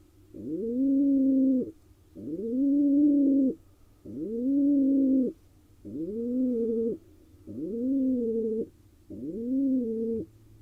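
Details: In a nest box in Israel used by wild barn owls, a male pigeon courts a female with six low, hollow coos, each rising briefly then sustained, repeated at a steady pace nearly every two seconds.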